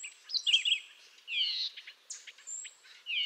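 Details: Canada jay (grey jay) calling: clear whistled notes, some rising and some falling with bright overtones, sounded in short bursts separated by brief pauses, with thin high tones in the background.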